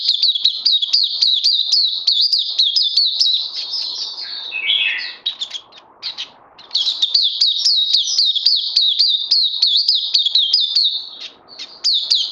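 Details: Caged oriental white-eye, a competition 'crazy' singer on day two of a health supplement regime, 31 May 2020, delivering rapid high twittering song of rising and falling notes, with a short pause midway before resuming.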